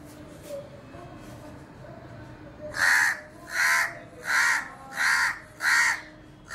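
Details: Crow at a house window: after a few seconds of quiet, six strong raspy caws follow in a steady rhythm, roughly one every three quarters of a second.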